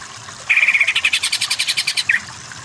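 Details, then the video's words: Greater green leafbird song used as a training recording for other birds: a fast steady series of about twenty clipped whistled notes, ending with a short downward slurred note. "Masteran Burung Cucak Ijo"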